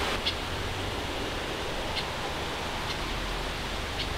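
Steady broadband outdoor hiss like rushing water fills the recording, with a few faint soft ticks and no clear animal calls.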